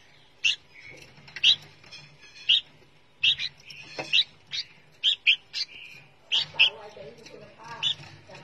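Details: A caged young red-whiskered bulbul awaiting transfer to a new owner utters sharp, scratchy single chirps spaced about a second apart, occasionally paired, over a quiet background with a soft low hum and faint lower sounds.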